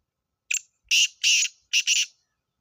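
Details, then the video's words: Black francolin (kala teetar) call used for hunting. A brief opening note is followed by four loud, harsh, grating bursts in two close pairs, all within under two seconds, against a silent background. "Kale teetar ki awaaz Shikar ke liye"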